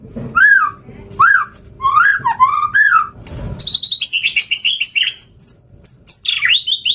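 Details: White-rumped shama in full gacor song: four rich looping whistles at steady spacing, then a fast chattering string of high, clipped notes and descending sweeps typical of an isian-filled sequence.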